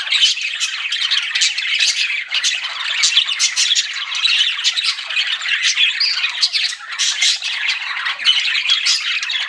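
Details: Continuous chatter from a group of pet budgies said to be flirting: layered high squeaks, rasping warbles and quick chirps overlap steadily, never dropping to silence.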